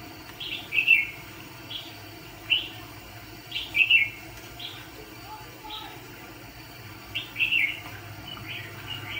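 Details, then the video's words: ['Red-whiskered bulbul used as a trapping decoy for fighting birds sings short clustered warbled phrases separated by pauses of one to two seconds.'] "Chà mào bẫy đấu có tí che ché cung mau mỏ hầu bò cụp cầu"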